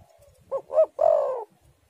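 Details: Spotted dove song from a lure recording used to prompt doves to sing: a single cooing phrase of two short, low notes followed by one longer, drawn-out purring coo, in a quiet setting.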